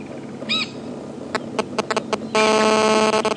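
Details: White-crowned shrikes, three on a branch at Djuma Game Reserve on a February morning drive, give a nasal squeal, scattered sharp ticks, then a harsh, buzzy chatter that sounds heated, over low vehicle rumble; it turned out to be begging, not fighting.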